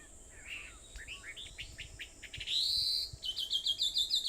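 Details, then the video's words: At 4:30 a.m. on 21 July 2014, birds on Aobayama, Sendai, give soft notes and a rapid series of short chirps, then a drawn-out high buzzy note and a fast, rhythmic trill of repeated sharp notes. "Sound of Birds on Aobayama, Sendai, 2014.7.21 (4:30)"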